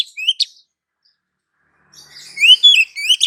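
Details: Oriental magpie-robin female calling to a male: two brief whistled notes and a sharp chip, a long gap, then a soft buzzy note leading into loud, rising, ringing whistles.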